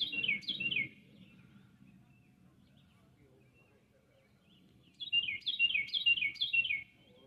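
An oriole sings short runs of bright, slurred whistled notes, falling in pitch, in two bursts.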